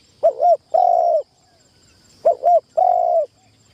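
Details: Decoy spotted dove on its first session in a trapping tent. It repeats a clear coo phrase twice: a quick dipping double note, then a long, even, low croon. The background is quiet.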